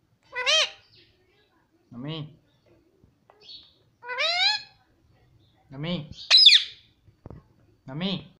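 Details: Pet parrot mimicking words such as papa and mummy: short, high-pitched, nasal word-like bursts with rising and falling tones, alternating with a lower human voice prompting it, separated by brief quiet gaps.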